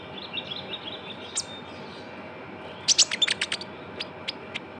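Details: Young Javan white-eye, recorded as a lure sound. Soft high twitters, then a sudden loud cluster of sharp, clipped chirps, followed by a few spaced single notes.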